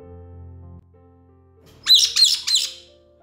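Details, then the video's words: Pet caique parrot, a noisy bird whose mostly high-pitched sounds include mimicry of household noises; here three harsh, rasping squawks in quick succession, following a low indoor hum and some faint rustling. "Here I will show you few typical sounds of the caique parrot."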